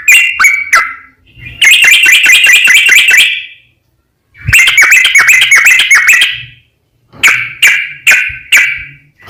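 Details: Sooty-headed bulbul giving 'gacor' song in long 'ropel panjang' runs, meant to make other bulbuls answer; two dense bursts of quick bubbly chirps framed by a few spaced single notes and silences.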